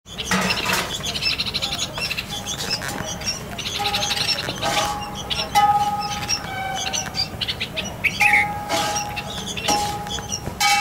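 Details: A red-vented bulbul at its nest, feeding chicks just before they fledge, gives bright, bubbly chirps and short cheerful notes scattered irregularly over a steady low hum and sharp clicks.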